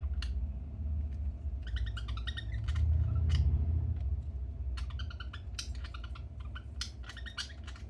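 A budgerigar gives bursts of quick, scratchy chirps and warbles over a steady low rumble.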